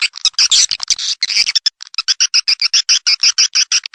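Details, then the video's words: Swiftlet calling sound played to attract swiftlets: rapid buzzy chirps repeated about five times a second, each a harsh burst with a clear higher band, irregular at the start and then a steady, evenly spaced series. "SP/Suara Panggil Burung walet"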